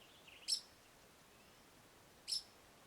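A female Pied Kingfisher gives two sharp, high, squeaky chirps about two seconds apart, the first preceded by a brief softer twitter. The background is otherwise quiet.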